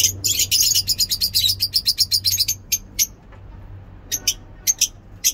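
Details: Lovebirds at a mini zoo singing ngekek in the morning: a rapid rattle of piercing chirps, roughly four per second, fading to sparse single notes after a lull, over a steady low hum.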